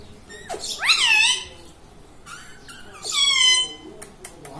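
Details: Pet parrot in a small room, said to talk and repeat radhe radhe; two drawn-out harmonic squawks about two seconds apart over faint room noise and clicks.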